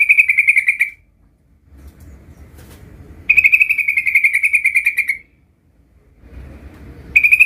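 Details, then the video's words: Sooty-headed bulbul practising its rolling song, said to draw answers from young birds; dense, even, buzzy rolling trills lasting about one to two seconds each, separated by pauses with faint background rustle. "Trucukan bahan Bakalan langsung NYAUT dengar suara trucukan gacor belajar Ngerol ini"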